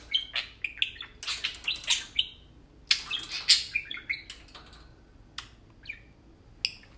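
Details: Tame pet parakeets playing and talking at home: bursts of sharp, high chirps and twittering notes in quick clusters, with pauses and faint clicking or tapping sounds between calls.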